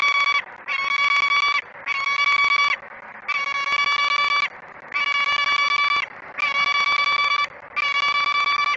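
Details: Female peregrine falcon scolding her mate after he lands in the nestbox without food, Great Spirit Bluff, dawn on 28 February 2017. Seven rough, drawn-out, whining calls repeat with short pauses over a steady background hiss.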